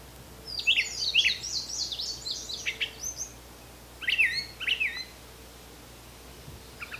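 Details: Brown thrasher from Canada in the wild, giving a rapid tumbling series of high, sharp down-slurred notes, then after a pause two strong doubled phrases and a faint closing note.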